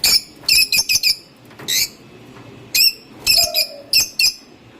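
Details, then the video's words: Lovebird giving sweet calls: sharp, high squeaky chirps in quick clusters of two to four, with short silent gaps between bursts and a faint low hum underneath. "Love birds sounds..... লাভ বার্ড পাখির মিষ্টি করে ডাকার শব্দ"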